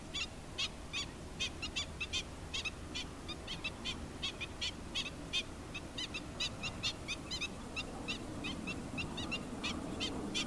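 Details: Black-winged stilt, an adult with chicks, calling persistently: rapid, repeated short harsh notes, irregularly spaced and at times overlapping, with a continuous low rumble beneath throughout.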